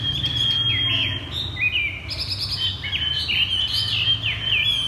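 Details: Chinese hwamei cage bird singing bottleneck-style ('thắt cổ chai'): a thin steady whistle runs underneath varied rising and dropping whistled notes and higher bright bursts.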